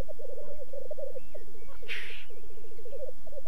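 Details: Black grouse displaying at a courtship lek in the French Alps give a continuous low, dove-like bubbling roo-koo, broken by a short harsh hissing burst, with thin whistles from other birds.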